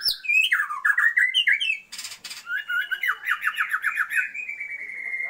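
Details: A female Oriental magpie-robin calls to stir a male into breeding condition, giving varied whistled and scratchy phrases, a short noisy burst, then a rapid run of chattering repeated notes.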